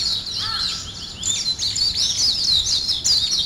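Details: Birds waking in the morning with rapid high twittering, growing denser and louder after the first second; a brief lower whistle early on.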